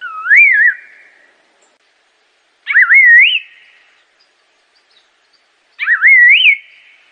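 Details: Clear looping whistles from an Assam laughingthrush, three rising-and-falling melodic phrases about every three seconds, each trailing into a soft buzzy fade, nothing else audible.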